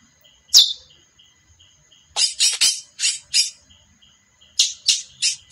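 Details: Female chestnut-bellied seed finch giving short, harsh, noisy chips: one isolated note, then a quick cluster of four to five chips, a pause, and another group of four. A steady faint electronic tone hums underneath.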